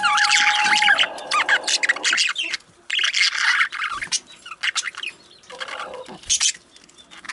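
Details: Male budgerigars keep up a rapid, scratchy warble mixing squeaky chirps, buzzy notes and a brief steady whistle at the start, fading into scattered clicks and short chatter bursts toward the end.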